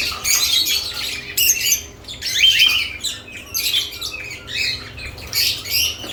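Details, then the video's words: Lovebirds busy at newly added nest boxes, a flock chattering in irregular bursts of harsh, high squawky chirps roughly once a second, separated by short lulls. "Lovebirds add nest boxes activity & chirping sounds"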